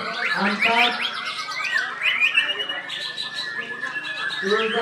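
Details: Caged white-rumped shama at a songbird training competition, a double winner, singing loud fluting whistles mixed with quick chattering notes and harsh bursts in a dense, unbroken stream.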